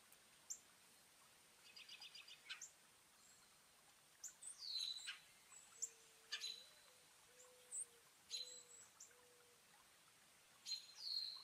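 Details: Wild garden birds at a feeder in New Jersey, northeast USA, on a partly cloudy day of 36 to 50°F, 5 April 2024, when a 4.8 magnitude earthquake struck: scattered high, sharp chirps and short squeaky notes, with soft, low, drawn-out whistled tones in between.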